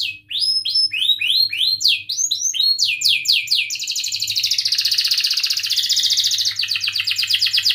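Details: Canary song played to encourage other canaries to sing: a series of repeated rising and falling whistled sweeps, followed by a long, fast rolling trill that continues steadily to the end.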